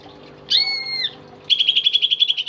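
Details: Caged, tame greater green leafbird in lively song: one loud steady whistled note lasting about half a second, then an abrupt, fast trill of repeated buzzy pulses.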